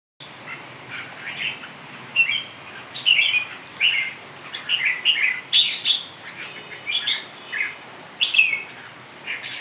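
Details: Red-whiskered bulbul singing: a lively run of short whistled and warbled phrases around mid-high pitch, bursts spaced through the clip with brief pauses, over a steady hiss.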